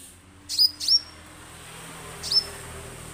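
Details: Orange-headed thrush, recorded as a lure to get birds singing: a quick pair of sharp, high, downward-slurred chirps followed after a pause by one more, over low background hiss.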